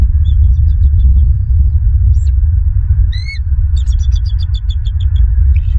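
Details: Bald eagles at a nest in Southwest Florida, filmed by nest camera on 28 January 2023 around 6:43 in the morning; thin, high piping notes, then a rapid chattering series of sharp squeaks, over steady low wind rumble.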